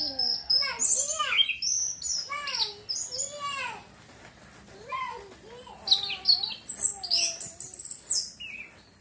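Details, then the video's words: Orange-headed thrush song meant to trigger breeding drive: rich, looping whistled phrases, some dipping and rising in arcs, mixed with sharp high chirps and short trills, delivered in quick runs with brief pauses. "TERAPI ANIS KEMBANG PUNGLOR MEMANCING BIRAHI BIAR CEPET GACOR"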